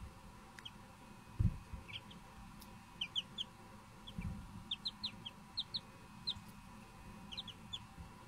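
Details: Little Silkie chicks calling with bright, brief descending peeps in loose runs of two or three, almost continuous through the second half, with a couple of low thumps from handling or movement.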